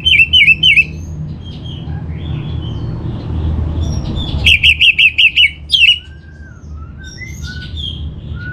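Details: Lure song of an Orange-headed thrush for getting kept birds to sing: warbled whistles at first, softer varied notes, then a burst of rapid identical repeated notes and a few quieter phrases, with low background rumble.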